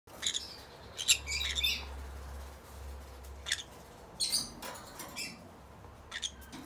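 A pair of green-cheeked conures gives short, scratchy, high chirps in scattered bursts of one to several notes, over a low steady hum.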